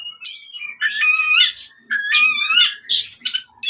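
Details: Oriental magpie-robin fighting song for retraining silent birds: loud harsh, buzzy rasping phrases with harmonic whistles, in four bursts separated by short pauses.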